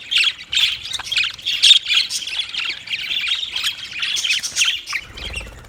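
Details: Budgerigars giving dense, scratchy chatter: rapid overlapping squawks and chirps high in pitch, continuous throughout with brief louder bursts, a low thump near the end.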